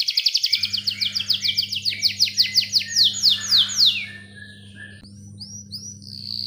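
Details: Canary song used as a lure to start young or silent canaries singing: long, clear rolled trills of quick repeated high notes for about four seconds, then a few separate upslurred whistles, over a steady low electrical hum.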